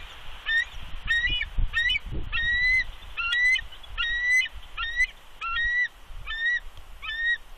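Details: Bald eagle incubating eggs on a wild nest at Big Bear, dated 3.2.20, calling a warning at an unidentified adult eagle intruder: repeated high, squeaky, ringing notes, some falling and some rising, paired and spaced about a second apart, over low rumble.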